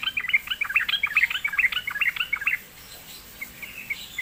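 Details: Sooty-headed bulbul answering after being lured: a rapid, evenly paced string of bright, chirpy notes for about two and a half seconds, then faint soft notes.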